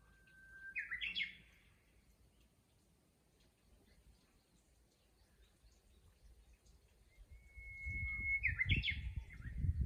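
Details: Japanese bush warbler singing in a countryside chorus: twice a long steady whistle swells into a quick, rising, warbling flourish, with the songs about seven seconds apart, and low rumbling background noise builds toward the end.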